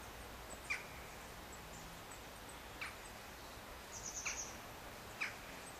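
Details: Firecrest at Far Pasture giving a quick burst of four very high, thin notes, with scattered short chirps every second or two over steady background hiss.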